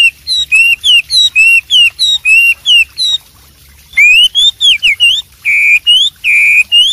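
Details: Horsfield's babbler in the wild sings loud, clear whistled notes, several slurred up or down, in quick runs of about two a second with one brief pause.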